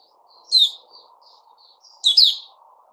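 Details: Caged bulbul of the type kept as Puteh Raja, giving two short, bright, warbled phrases about one and a half seconds apart, with soft faint chirps between them over a low steady background hum.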